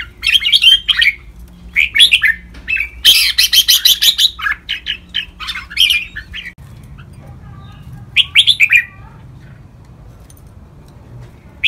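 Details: Red-whiskered bulbul training song featuring ric, double and lak wai phrases: quick, lively warbled notes, then a fast run of sharp repeated chips, a pause, and a final short burst of song.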